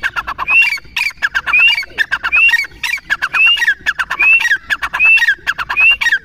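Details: Chukar in sustained calling: rising whistled notes interlaced with dense, rhythmic, harsh clucking pulses. The pattern repeats roughly every 0.8 seconds without pause.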